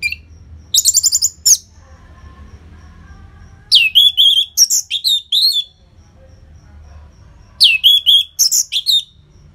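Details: Loud Orange-headed thrush song meant to prompt reluctant cage birds to sing. Three bursts of tumbling, whistled and buzzy notes arrive about every four seconds, separated by quiet pauses with faint low hum.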